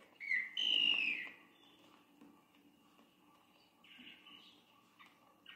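An antbird gives a short whistled note, then a longer, harsh, strident cry, followed by a few softer, scattered notes over a faint low hum.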